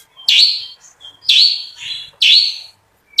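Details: Long-tailed shrike singing in a showy, full-voiced style with coarse filler notes and rapid roll phrases. Loud, harsh buzzy notes with brief whistled fragments repeat about once per second.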